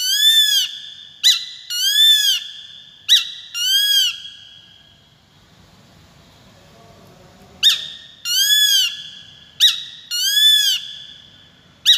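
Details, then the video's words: Peregrine falcon calls in two bursts: repeated pairs of a clipped sharp note and a longer harsh arched wail, about every one and a half seconds, separated by a quiet interval of faint low rumbling. "Peregrines Falcon | សម្លេងសត្វស្ទាំង"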